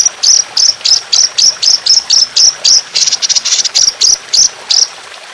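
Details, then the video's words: [['Trotolan songbird training recording with an aggressive, rough, continuous shooting song: evenly spaced, very high, sharp notes repeated about every third of a second, with a brief rapid trill in the middle.']] "Masteran Burung Trotolan Jahat Tembakan Panjang Kasar Ngedur"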